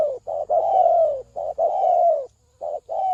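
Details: Spotted dove lure call: a short coo followed by long, buzzy, gently descending croons, repeated twice, with a soft low hum in the background.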